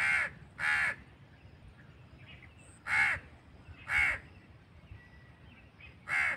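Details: Irregular harsh caws from a crow: a quick pair, a pause of about two seconds, two more a second apart, then a final caw after a longer gap; quiet background.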